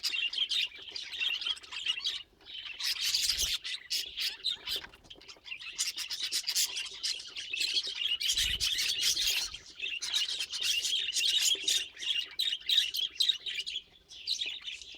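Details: Pet budgerigar chattering nonstop: a scratchy, rasping warble of fast chirps, clicks and squeaky notes running on for many seconds with only brief breaks, plus occasional soft low bumps.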